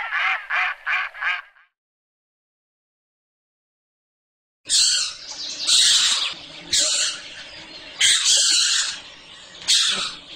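A Mallard gives four quick, nasal quacks in a row, then a pause, followed by rougher, harsher bursts of sound.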